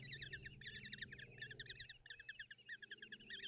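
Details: Morning feeding of common kestrel chicks by the mother, nest box in Tiszalök, Hungary, June 30, 2024: bursts of fast, warbling, high-pitched squealing trills, each lasting around half a second, repeated in quick succession above a low drone.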